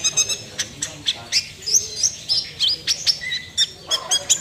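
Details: Sunbird, a kept songbird, in a full rapid 'nembak' style of song: thin high chirps, squeaky upslurred whistles and short twitters tumbling in quick bursts, with brief pauses between phrases.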